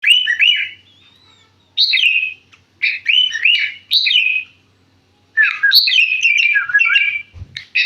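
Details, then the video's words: Sooty-headed bulbul singing vigorously: short bubbly warbled phrases of liquid whistled notes, each about a second long, separated by brief silences, with a faint low hum and a soft thump near the end. "burung kutilang gacor"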